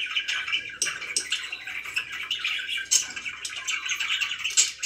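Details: Pet budgies keep up steady chatter: rapid rasping warbles and twittering notes with occasional brief high squeaks, several voices overlapping without a break.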